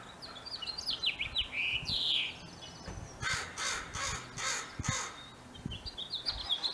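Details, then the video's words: Spring mating season, male house finch: a quick, cheerful warbled phrase of high slurred notes ending in a buzzy trill, then rough bursts of broadband noise and a few faint notes near the end. "House Finch Male Singing Beautiful Spring Time Melody"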